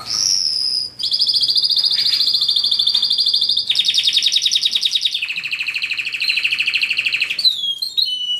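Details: A canary sings a long sequence of fast, rattling trills, each tour held for a second or more before dropping to a lower pitched roll, closing with quick twittering notes.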